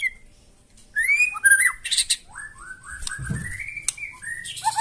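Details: Harsh provoking song of a White-rumped shama: swooping whistled notes and a long descending series of short slurred phrases, with a brief scrape of background noise partway through.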